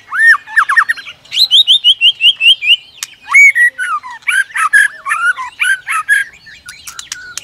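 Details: White-rumped shama song provoked by a female who clicks continuously and flicks her tail to stir the bird into competitive singing; slurred rising whistles, then a run of seven bright descending notes, then mixed chirps and sharp clicks.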